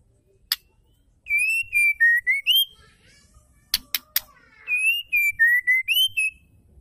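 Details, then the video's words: White-rumped shama female calling to provoke males into singing: two phrases of pure whistled notes, each stepping down then rising at the end, separated by a burst of sharp clicks. "dengar suara murai betina gacor semua murai pasti nyaut ngeplong"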